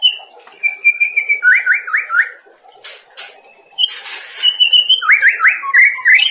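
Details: Training song of a white-rumped shama for cage birds, with level whistles, a run of quick rising slurred notes, buzzy bursts, then more rapid upward-sweeping whistles over a low hum.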